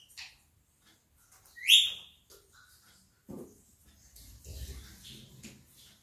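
An Indian ringneck parrot gives one loud, harsh, rising screech among soft chatter, then quieter garbled, speech-like mutterings with some background rustle.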